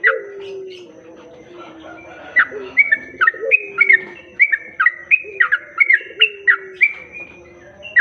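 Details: Sooty-headed bulbul sound used to lure other bulbuls: after a quiet start with low wavering tones, a lively series of crisp, whistled notes repeats roughly every third of a second, some swooping upward, with a soft low drone beneath.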